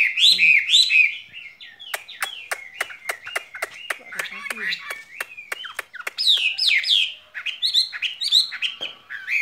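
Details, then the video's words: Caged skylark delivering looping whistled phrases, then a long series of crisp clicks about every quarter second beneath softer warbling, before strong buzzy phrases return. "lồng son ca bản tình ca mùa xuân"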